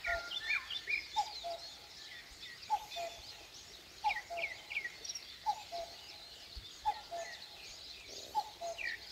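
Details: Common cuckoo in the Korean countryside at first light, its low paired notes, high then lower, sounding about every 1.4 seconds against a lively background of chattering, chirping small birds.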